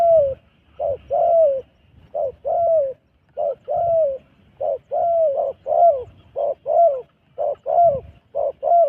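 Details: Cambodian wild dove calling with repeated soft coos, grouped in short phrases of two or three notes with brief pauses between phrases, clear over a quiet background.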